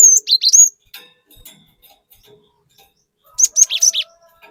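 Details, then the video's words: Cinereous tit lure song meant to provoke other birds: an opening phrase of long whistles and down-slurs, a quiet gap, then a rapid burst of five sharp high notes, a faint hum beneath. "Pancingan Burung Glatik Batu Gacor Fariasi Glatik Bahan Auto Emosi || Glatik Batu Gacor Nembak"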